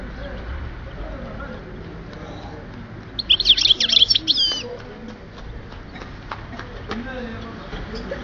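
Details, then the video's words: Singing European goldfinch, Oued Souf, Algeria, 2010: after quiet background, a bright burst of rapid tinkling, twittering notes lasting about a second and a half, then faint scattered chirps. "chardonneret with best song"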